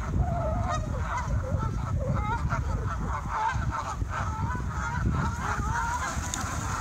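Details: Flock of Canada geese taking off, with many overlapping nasal honks. The honks ring out against a constant low rumble of rushing wind or water and wingbeats.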